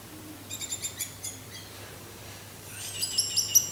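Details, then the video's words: Orange-headed thrush singing teler style with wind: a soft series of about six evenly spaced high notes, a quiet pause, then a sharper burst of quick high chirps, with a low hum throughout. "suara angin dengan suara anis merah teler"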